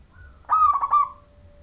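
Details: Local Majapahit zebra dove singing to lure others into song: one short, loud phrase of fast, stuttering coos that trail off into a soft, steady tone.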